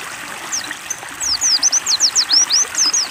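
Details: Water-therapy session for a caged white-eye (pleci) that will not sing: after a few scattered notes, a fast string of high, thin, swept chirps starts, over constant flowing water.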